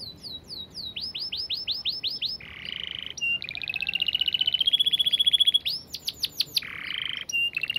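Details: Canary song alternating tours: rapid high arched notes, a low buzzy roll, a long fast trill rising slowly in pitch, more arched notes and another buzzy roll, loud and clear throughout.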